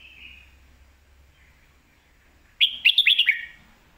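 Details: Red-whiskered bulbul singing a lak wai / mae bot phrase: faint drawn-out note, pause, then a crisp burst of five quick descending slurred whistles.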